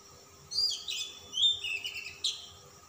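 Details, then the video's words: Calm-type Oriental magpie-robin in insistent song with a rich fill, giving quick high whistled and buzzy phrases that drop in pitch, ending on a sharp upward flick, with a constant low hum behind. "kacer ngotot ngobra isian mewah kacer Type dingin"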